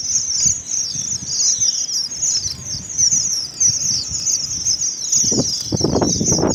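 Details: Several red avadavats (Amandava amandava) in Karachi twitter continuously in thin, very high, sweet notes that overlap into a steady chatter, with low thumping noises near the end; song.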